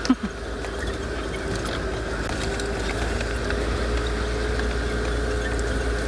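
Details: Steady vehicle engine drone on an afternoon safari drive in South Africa, after a brief knock at the start; no animal calls.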